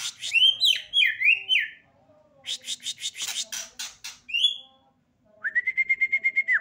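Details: Singing energetically as a newcomer, a White-rumped shama gives looping whistled phrases, dense rattling trills, a rising clear whistle, and ends on a long steady pulsed whistle.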